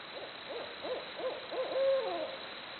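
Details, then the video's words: Barred owl giving a rapid rhythmic series of five or six short hoots, about three per second, ending in a long drawn-out descending 'hoo-aww'. "Barred Owls Hooting Away Making Jungle Noises."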